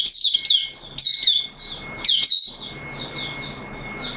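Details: A caged white-eye opens into song on 13 September 2022, second day of monthly deworming: sharp high chirps about once a second, then softer warbling, over a faint steady electronic tone.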